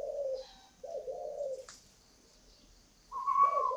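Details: Spotted dove, a large bird said to be as big as a pigeon with an unusually warm voice, giving two low, husky coos of about half a second and one second, followed after a pause by a brighter, higher-pitched coo.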